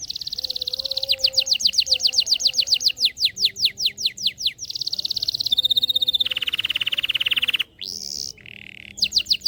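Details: Canary song meant to coax lazy canaries into song: a buzzy high tone giving way to rapid downslurred notes, then long rolling trills shifting pitch, a rising whistle, a short buzz, and more downward-sweeping notes.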